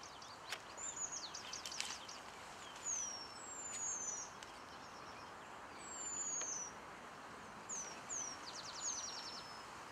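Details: Eurasian penduline tit near the end of building its nest at Källtorp wetlands outside Falkenberg, 2013: thin, very high whistles sliding downward, given several times, with clicking chatter and short trills from other birds in between.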